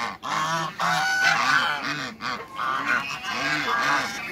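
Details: A giant pair of African geese in a backyard farm waterbird area, honking loudly in rich, nasal, harmonic calls that run almost continuously, with short breaks between the blasts.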